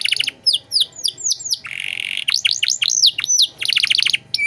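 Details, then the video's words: Canary singing in the luxurious 'cengkok mewah' style as a tutor for untrained birds. Repeated hooked chirps, a buzzy rasp, arching swept whistles and a quick burst of clipped notes. "Masteran Kenari Gacor Cengkok Mewah"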